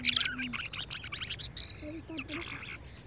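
Birds giving quick, high chirps and twittering notes with a clear whistled phrase, over a faint lower hum and what may be a voice.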